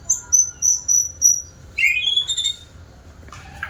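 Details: White-rumped shama, a diligent singer, gives five short, clear high whistles in quick succession, then rising slurred whistles and a brief scratchy flourish, with quiet pauses between phrases.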